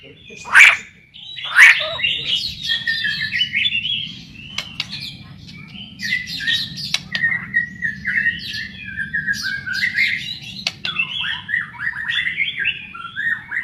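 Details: White-rumped shama song used to prompt shamas to sing, two loud sharp notes opening a long run of varied warbled whistles and slurred phrases over a steady low hum.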